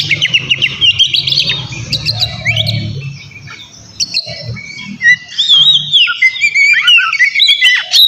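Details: White-rumped shama (kacer) singing to provoke a rival: quick chattering notes at first, then a quieter pause, then varied whistled slurs and trills, over low hum.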